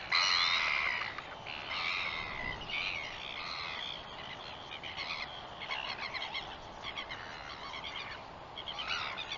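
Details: Northern royal albatross recorded 21 September 2021: a loud opening call followed by a long series of quieter, rapid, chattering and wavering notes that run on with little pause.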